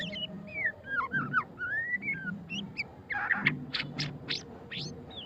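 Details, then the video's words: White-rumped shama of the pastol type in ngeriwik song, mixing looping whistles and bent slurred notes, ending with a flurry of short, high, harsh chips; low rumble underneath. "suara kicauan burung murai batu pastol ngeriwik - white-rumped shama"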